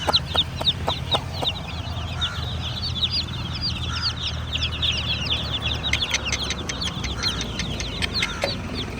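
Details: A group of baby chicks keeps up bright, high peeping, joined by sharp tapping clicks at the start and end and a steady low hum underneath.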